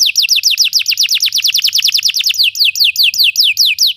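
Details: Belgian canary song meant to make other canaries sing: a fast series of descending whistled notes, easing into slower, spaced downward sweeps roughly three per second, with faint low hum in the background.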